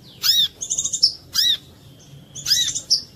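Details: Brown-throated sunbird (kolibri kelapa) lure song to trigger singing in other sunbirds: three sharp arched high notes, each followed by a thin shimmering buzz, spaced about a second apart.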